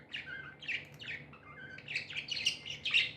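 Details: Tame pet budgerigars described as happy, chirping in a series of short, bright warbling notes with scratchy edges, several bursts per second in uneven rhythm, with a faint low hum underneath.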